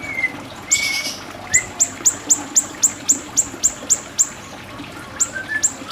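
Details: Siri-siri bird used for song tutoring gives a thin whistle, then a regular series of crisp, very high clicking notes about four per second, ending with soft rising whistles.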